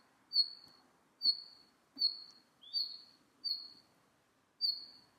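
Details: Repeated high, thin whistles from a red-flanked bluetail, six notes spaced about a second apart, one sliding slightly upward, with soft ticks and a quiet background.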